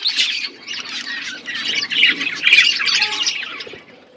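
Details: Flock of budgies eating winter food, Asia; busy overlapping high chirps and scratchy warbles swelling and fading in waves, a few louder squawky notes near the middle.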